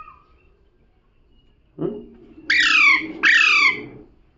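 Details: Talking parrot giving two loud harsh squawks that drop in pitch, after a low murmur begins in the background.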